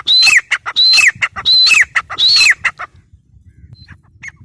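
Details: Loud, grating calls of a grey francolin, called teetar: four shrill phrases with a high held whistle and a downward slur, spaced about 0.7 seconds apart, fading into quiet low rumbling afterwards.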